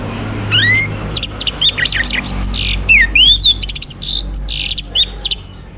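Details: Orange-headed thrush (Geokichla citrina) singing, used as a lure to get other birds singing: a rising whistled note, then a rapid varied run of sharp clicks, slurred upsweeps and buzzy bursts, high-pitched and continuous, with faint low background hum.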